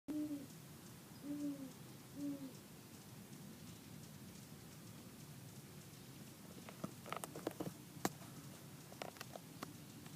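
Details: A male Great Horned Owl in trees at Palos Verdes, Labor Day weekend 2013, near sunrise, with at least two owls present: three deep, soft hoots about a second apart, then faint crackles and clicks over steady hiss.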